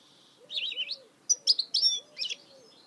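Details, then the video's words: Goldfinch mule (hybrid) singing: short bursts of high, twittering, warbled notes in two groups over about three seconds, with a soft, regularly repeating low tone in the background. "Chant mulet chardonneret تغريد هجين الحسون"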